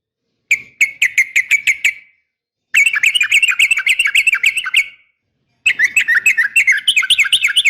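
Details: Yellow-vented bulbul female calling a male, a lure fighting call for morning and evening training: three bursts of quick, evenly spaced chirps, the last run busier with rising and falling slurred notes.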